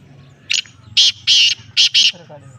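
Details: Black francolin of the Lakka nasal type giving one phrase of loud, rasping, buzzy notes: a short first note, then a longer pair, then two clipped notes close together.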